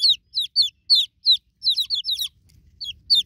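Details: High, shrill peeps from newborn chicken chicks seeking their broody mother hen, each note gliding down sharply, given singly then in a rapid overlapping flurry before a brief lull.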